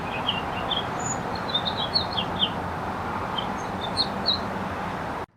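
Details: House finch singing atop a wire at a California motel, recording cleaned up with software; scattered high chirped and warbled notes in loose bursts, fainter over a constant low rumble of background noise, ending abruptly.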